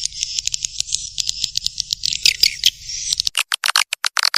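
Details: Swiftlet attraction call, Black Panther style, for a nesting area's centre: continuous high twittering with a low hum, then the hum stops and separate sharp chirps follow with short silences between them.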